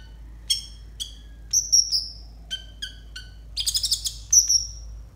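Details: Konin song meant as a mastering tutor for untrained konin: spaced sharp chirps with sliding tails, a high sustained whistle, then a fast buzzy trill and another bright whistle.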